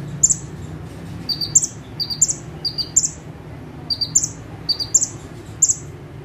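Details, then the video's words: Singing bar-winged prinia perched in one spot: clusters of high chirps and buzzy notes, each burst of two or three notes about every half second to second, over a faint low steady drone. "KONIN GACOR FULL TEMBAKAN - CIBLEK / PRENJAK TEBU"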